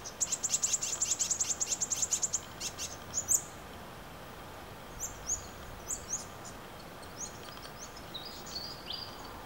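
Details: Brown-headed honeyeaters in the You Yangs west of Melbourne, living in family groups and plucking koala hair for nests; a rapid series of high thin chips, then scattered sharp high notes over steady background hiss.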